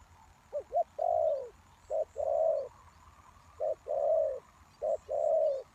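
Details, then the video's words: Spotted dove calling as a lure for wild doves. Low cooing phrases repeat about four times, each with two short clipped notes followed by a longer rolling coo. A faint steady hiss sits underneath. "The Cu Gáy Mồi Đất,Kèo thơm lụm Mồi sảy,นกเขาใหญ่สายต่อดิน,Sound Of Cuckoo Bird่,Suara Tekukur Pikat"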